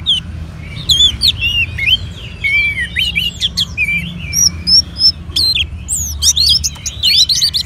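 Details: Orange-headed thrush kept in a cage in Bali, Indonesia, encouraged to sing with colony birdsong playback; varied looping whistles and slurred notes delivered rapidly, ending in a burst of high sharp chirps.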